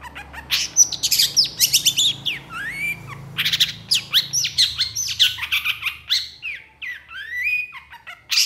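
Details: Long-tailed shrike in full, energetic song with long bursts: a dense, fast jumble of high chirps, squeaky notes and rising-falling whistled slurs, almost without pause, plus a faint low hum underneath.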